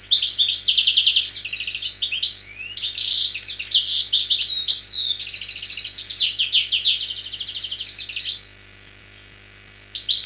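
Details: European goldfinch (Carduelis carduelis), wild-type (khalwi) Algerian bird, recorded 2003, sings a fast, liquid, tinkling song of twitters, trills and buzzy notes for about eight seconds, pauses, then resumes, over a faint low hum.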